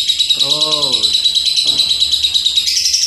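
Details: Lovebird pouring out a continuous, shrill chattering song of fast, rhythmic notes, roughly three each second, while a man's voice speaks briefly underneath.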